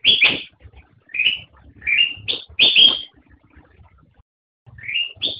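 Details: Black-crested bulbul song: a loud falling note opens a phrase of rising and falling whistles, then a quiet pause before a new rising note.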